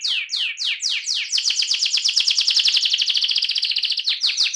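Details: Rolling (ngerol) song of an AF canary. A few slurred descending notes open into a long, fast, buzzy trill held at a steady high pitch, then slower sweeping notes return.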